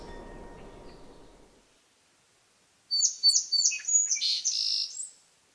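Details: Song sparrow song after a fading rumble and silence: several clear ringing introductory notes in quick succession, then a descending tangle of buzzy, twittering high notes.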